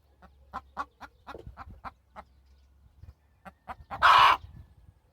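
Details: Hen giving a string of soft, evenly spaced clucks that build to one loud, drawn-out harsh squawk near the end.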